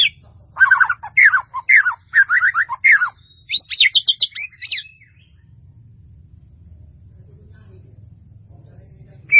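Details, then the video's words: White-rumped shama training song full of varied phrases: rapid choppy warbles, then a bright cluster of high buzzy notes, then quiet with a low hum and one last chirp. "MASTERAN MURAI BATU FULL ISIAN || SUARA MURAI BATU MERDU"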